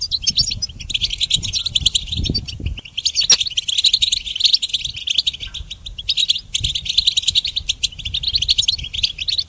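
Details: Goldfinch singing for songbird training: fast, liquid twitters and trills in long bursts, with one brief gap near the middle and a soft low hum or thump in the background.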